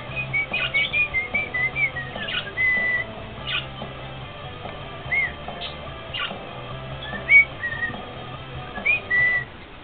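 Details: Pet male cockatiel singing to its owner indoors: a string of clear, short whistled notes, some rising and some falling, with a few longer level whistles, delivered in bursts across ten seconds over a low household hum.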